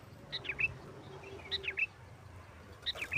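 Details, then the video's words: Sooty-headed bulbul singing to provoke other bulbuls: faint, thin three-note whistled phrases spaced about 1.3 seconds apart over steady background hiss and a low hum. "Suara Burung Kutilang Gacor NGGARUDA TARUNG ini sangat Cepat memancing Kutilang LAIN Gacor...!!!"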